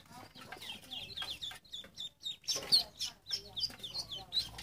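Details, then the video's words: Ducklings keep up a fast, irregular chatter of high chirps, with bursts of louder peeps and faint clicking or handling noise between them. "Silly ducklings Chirping Sounds"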